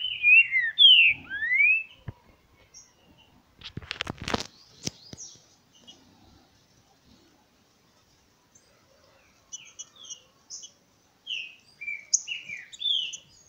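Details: Trinca-ferro, green-winged saltator, singing on 28 August in the late morning: loud slurred whistles open, then a burst of clattering noise, then a later series of short sweet whistled notes in irregular quick phrases.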